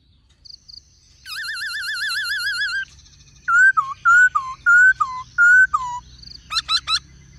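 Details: Black-throated laughingthrush singing in many voices with a calling female: a long wavering, tremulous whistle, then a series of short slurred whistles dropping in pitch, ending with three very high sharp notes.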